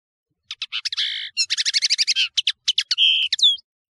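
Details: High-pitched jangling European serin song: clipped chirps leading into a fast buzzy trill, a few sharp notes and a drawn-out thin whistle at the close.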